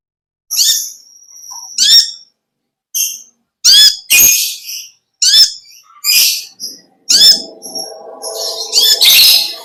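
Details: Olive-backed sunbird, ngekek panjang song: a string of short, high, explosive buzzy bursts about every second, some with brief thin whistles between, and a low rumble near the end.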